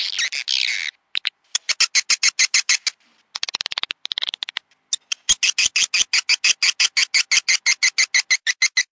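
Swiftlets give rapid, buzzy chirps in quick runs, about three bursts a second, with a short hissing rush at the start.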